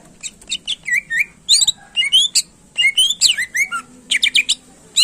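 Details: Energetic greater green leafbird song meant to excite competing birds: a fast string of sharp chirps and clear whistled upslurs and downslurs, tightly packed with brief gaps, ending with a crisp high note.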